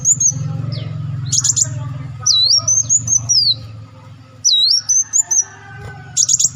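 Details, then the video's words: Olive-backed sunbird used as a lure, uttering sliding, looping high whistles and short ticking bursts in spaced phrases over a constant low humming background. "audio pancingan burung madu Wulung/Muncang"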